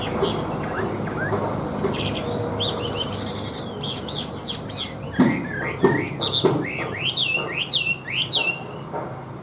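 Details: Caged Chinese hwamei, softer notes at first, then a burst of loud rising whistles and sharp chirps, several repeated upslurred notes near the end, with faint low background noise.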